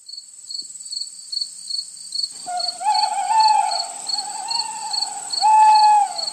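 Little Owl giving drawn-out, plaintive mewing calls that swell and fall, after two seconds of quiet; crickets trill steadily throughout.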